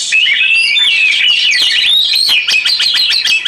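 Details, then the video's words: Oriental magpie-robin song for relaxation with water sounds: smooth wavering whistles leading into a quick series of crisp clicking notes, steady and loud. "KICAU KACER"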